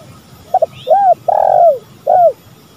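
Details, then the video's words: Spotted dove, male and female calling, used as a lure recording: a short double note, then low hollow arched coos, one long drawn-out coo and a final coo, over a soft background hiss. "Pancingan tekukur gacor"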